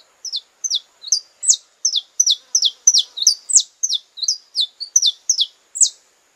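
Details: Brazilian saffron finch singing in courtship: a continuous, even stream of loud, sharply descending high chirps, close to three per second, with a few shorter lower notes mixed in.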